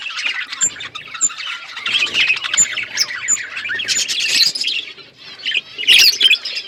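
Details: Budgies flocking in an outdoor aviary keep up a busy stream of high chirps and warbled chatter, rising to a louder squeaky burst near the end.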